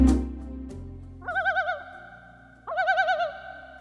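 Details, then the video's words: A common loon gives two eerie, quavering, wavering calls, each under a second with a rapid warble, about a second apart, over a soft musical bed. "The common loon's calls strike a balance between eerie mystery and natural beauty that few birds can match."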